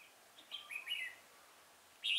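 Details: Red-whiskered bulbul recorded 5 March 2018 at Chùa Hương, Vietnam, in a trapping setting: a quick run of bright whistled notes, then a pause and a sudden loud chirpy phrase at the end.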